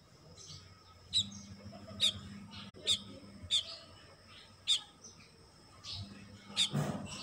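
Baya weaver giving sharp, high chirps about once a second over a soft background chatter, with a faint low hum underneath.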